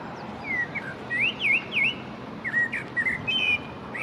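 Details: Common blackbird (Turdus merula) singing in spring beside the Long Water, a run of short, mellow whistled slurs with fainter high twittering notes, over a steady background hiss.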